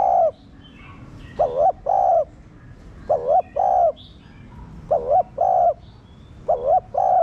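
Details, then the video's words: Spotted dove cooing, played to stimulate captive doves to coo: four bursts of paired, hollow, wavering coos, each burst about 1.6 seconds after the last, with faint chirps of other birds behind. "Cu gáy kích bổi nhanh nổi/Cu gáy mồi cây Gáy Thúc kích bổi chưa nổi nhanh gáy"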